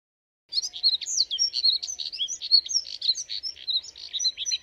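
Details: Song of Moussier's redstart, a hurried, scratchy warble of high chirps and brief whistled glides running continuously for about four seconds, nothing else audible.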